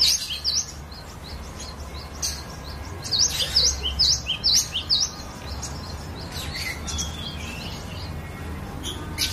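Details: Cinereous tit in a bird collection, its song used to coach other birds: scattered high notes over a hissy background, with a clear burst of five V-shaped whistled phrases in the middle.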